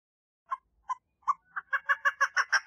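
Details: A female chukar partridge gives its mating call, opening with a few spaced, single clucks that quickly speed up into a rapid, insistent series of rough chuck notes.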